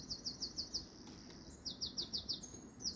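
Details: Bird calling in an English garden: two bursts of five quick, very high chirps, evenly spaced, with a single chirp at the end, over a steady low background rumble.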